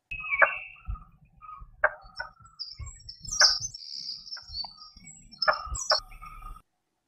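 Blue-bearded Bee-eater giving harsh, abrupt croaking notes at irregular intervals, like knocks of chopping wood, with thin high whistles from other birds behind.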